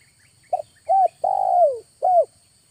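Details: August lure call of a spotted dove: one phrase of a brief double note, a clear coo, a long falling coo, and an abrupt closing note, all low and mellow. Faint low rumble underneath.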